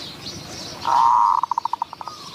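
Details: Zebra dove in Wapi district, Maha Sarakham, Thailand, lured with a decoy. A sustained, level, buzzy note breaks into a quick run of about eight clipped, evenly spaced coo notes, with faint insect hiss behind.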